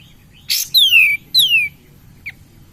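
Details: Loud, clear pair of downward-sliding whistles from a cream-vented bulbul, played as a lure to excite other birds, preceded by a short burst of noise and ending with one brief chip.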